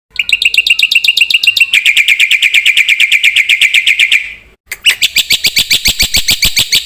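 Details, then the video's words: Black-winged myna, a loud, lively singing bird full of varied fill-in phrases: fast trains of harmonic, buzzy notes about four per second. Each train holds a steady pitch, then the pitch drops, then a brief gap, then a sharper series. "suara burung jalak putih gacor full isian"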